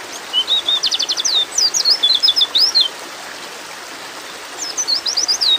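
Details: High, thin chirping from a female white-eye calling a male in breeding condition: a fast trill-like cluster, then sweeping slurred notes, a silent gap, and a shorter burst at the end.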